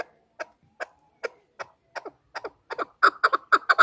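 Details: Chukar hen's call, played as a hunting lure, begins with slow, spaced single clucks that speed up and grow louder into a dense, rhythmic chuck-chuck series.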